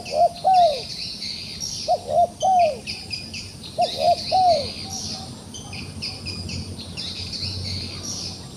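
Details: Trapped wild dove that keeps fighting gives three evenly spaced phrases of low coos, each two quick arched notes then a longer falling coo, roughly every two seconds; shrill insect chorus continues throughout and fills the quiet end.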